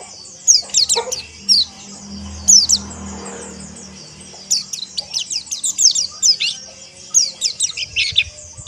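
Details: Group of white-eyes (pleci ombyokan) in a training chorus for ngeriwik and ngalas singing: scattered sharp high chirps at first, a faint low hum midway, then fast overlapping descending twitters.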